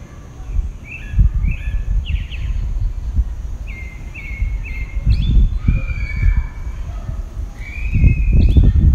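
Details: A lone pale-breasted thrush sings its dawn song in southeastern Brazil: a run of fluting, slightly slurred whistles in clustered phrases, while intermittent low thuds and rumbling noise swell beneath.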